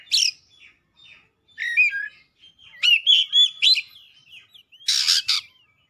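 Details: White-rumped shama singing a mix of short whistled notes, a rapid rising-and-falling whistled sequence and loud harsh rasping bursts toward the end.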